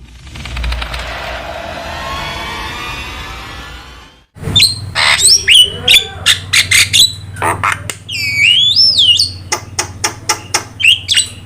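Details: Javan myna, used as a lure and master tutor recording for other birds: after about four seconds of broad hiss, a loud run of sharp chattering notes, squawks and rising whistles follows in rapid uneven bursts.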